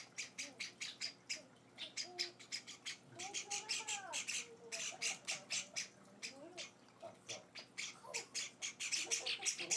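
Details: Java sparrow chicks being hand-fed indoors, several nestlings four days after arriving, give irregular bursts of high, raspy begging chips, with a person speaking gently throughout.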